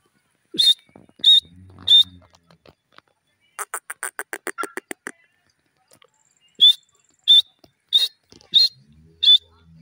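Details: Grey francolin (dakhni teetar) calling: sharp, high, ringing notes repeated about once every half second, interrupted midway by a fast burst of rapid pulsed notes, then five more ringing notes spaced evenly.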